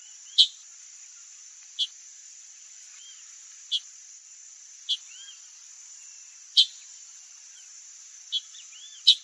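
Sharp, clicking chips from a chalk-browed mockingbird, given irregularly every one to two seconds, over a steady high insect drone with faint soft whistles between.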